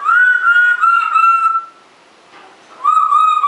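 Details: A rescued pet African grey parrot of uncertain sex, thought male, sits in its cage. It tends to talk when the owner leaves the room. It gives a clear, steady mid-pitched whistle of about a second and a half, pauses, then resumes slightly lower.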